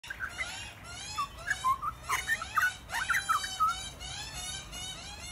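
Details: A Grey Butcherbird sings rich, fluty whistled notes that rise and fall in short, irregular phrases, some slurred and some clipped, over a faint low background hum.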